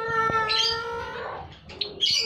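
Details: Zebra finches in a colony: short high chirps burst out over a steady droning harmonic tone, with a quiet gap before a final bright cluster of chirps near the end.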